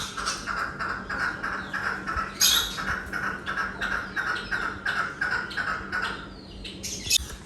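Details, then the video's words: A pet chukar in a home mini zoo calls in a steady run of harsh, clucking chuk notes, nearly three a second, over a low electrical hum and a few sharp clatters; it had been calling for a long while. "दोस्तों आपने चेक किया हमारा चकोर कितनी प्यारी सिंगिंग कर रहा है और काफ़ी देर से बोल रहा है।"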